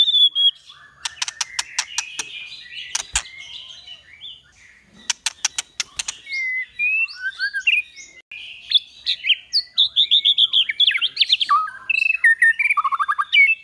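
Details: White-rumped shama in full song, 'kéo thuốc lào' and 'hót giọng dây' styles: rapid trains of dry clicks mixed with varied warbled and whistled phrases, growing into a dense, fast run of rising and falling notes.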